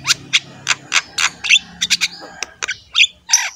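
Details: A Javan myna delivering a master song for other mynas: a series of short harsh chacks roughly every quarter second, ending in twisted whistled notes, over a low hum.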